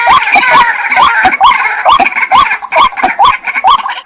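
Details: Jal murgi, the white-breasted waterhen, calling in quick succession: nine rising, nasal notes in four seconds, evenly spaced and loud.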